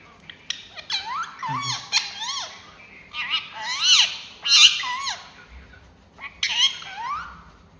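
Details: Pet ringneck talking parrot kept indoors, giving three bursts of harmonic, wavering, speech-like squawks with sliding rising and falling inflections, separated by short pauses, with brief low human sounds between phrases.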